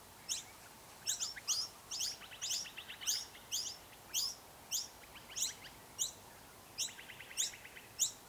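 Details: Nesting noisy miner, recorded on a Canon DSLR: rapid bursts of piercing high chips, each followed by short buzzy trills of lower clicking pulses, giving a busy, irregular chatter over a low, even hiss.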